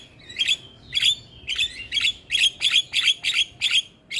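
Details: Black-winged myna, from a tutor recording for encouraging quiet mynas to sing, repeating a sharp, harsh, high note roughly twice a second in a steady series.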